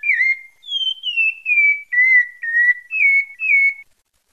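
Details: Pale-breasted thrush from Bahia whistling a descending ladder of about eight clear notes, each slightly lower than the last before rising again at the end, roughly two notes per second.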